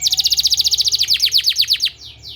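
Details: Therapy song for training canaries: a canary delivers a rapid rattling trill of about fifteen short notes per second, slowing into a series of longer downward-sweeping notes, then faint sweeps trailing off.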